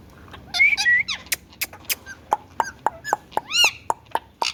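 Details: Indian ringneck parakeet, a talking parrot, giving a run of varied whistled notes, some sliding upward, others arching or dropping, mixed with short sharp clicks and brief chatter-like syllables.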